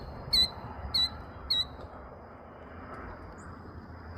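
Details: Adult mother killdeer with her chicks in tall grass while it is being mowed: three sharp, high, piercing calls about 0.6 seconds apart, then only the low rumble of a mower engine.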